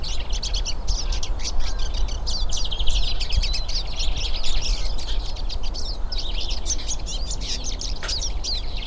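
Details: Hooded siskins, several birds, singing in the wild, their rapid high chirping and twittering phrases running together without pause above constant low environmental noise.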